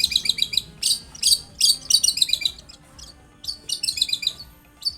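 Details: Long-tailed shrike singing vigorously, recorded to coax other shrikes into song; quick strings of sharp, high twittering notes in bursts about twice a second, broken by a brief lull.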